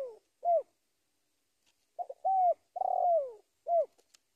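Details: Spotted dove calling a rival with several soft downslurred hoots around a full phrase ending in a long burry coo that slides downward, irregularly spaced.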